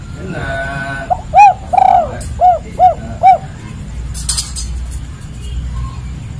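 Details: Spotted dove coo call in its three-note form: a soft opening note, a longer burred coo, then three short rounded hoots in quick succession, followed by quiet hiss and a faint clink.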